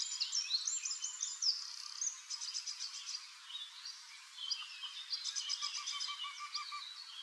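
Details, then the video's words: Eurasian wryneck, male courting in Drenthe on 29 April, calling from an old woodpecker hole to lure a female to inspect the nest; high, rapidly repeated nasal notes in short series, mixed with other twittering birds. "draaihals - Jynx torquilla"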